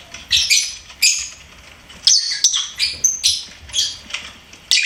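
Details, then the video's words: A pet lovebird singing and chirping, with rapid, shrill chirps and scratchy squeaks in short bursts, roughly two or three per second, high-pitched and harsh. "LOVEBIRD SINGING & CHIRPING SOUNDS"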